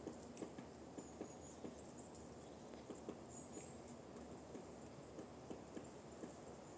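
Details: Forest woodpecker tapping on a trunk: scattered light knocks at an uneven pace, roughly two or three per second in bursts, with faint high-pitched bird notes above and a low, steady background hush.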